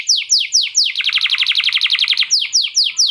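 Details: Canary singing long and steadily, mixing in lovebird-style chatter. Clear descending whistled swoops repeat about every quarter second, broken in the middle by a fast, dense rattling trill of tightly spaced notes, then the swoops resume.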